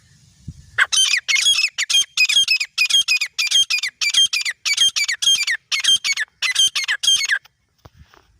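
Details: A pair of grey francolins, male and female, give a long run of loud, harsh, high-pitched notes, about fifteen in under seven seconds, steadily paced with slight unevenness, before the calling stops and near silence follows.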